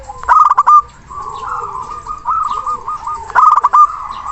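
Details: Local zebra dove singing to call a rival; a loud stuttering coo burst opens, a long run of soft rolling coos follows, and a second loud burst comes three seconds later.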